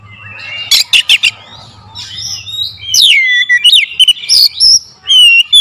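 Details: Oriental magpie-robin song used as a lure sound: loud, varied whistled phrases with sharp rising and falling sweeps, short buzzy bursts and quick chirps, delivered in rapid shots with brief pauses; faint low hum beneath.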